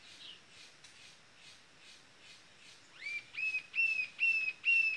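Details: Rufous-tailed jacamar calling, a series of sharp high notes that start faint and spaced, then become loud, clear, downslurred whistles repeated about every half second; a pair is said to answer each other.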